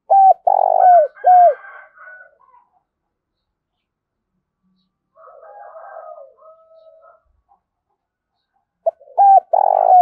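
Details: Spotted dove cooing in thúc and gáy gọi style, with a thổ đồng voice. A deep, hollow, stuttering coo phrase opens, followed by a faint, softer murmuring coo. Another phrase begins just at the end.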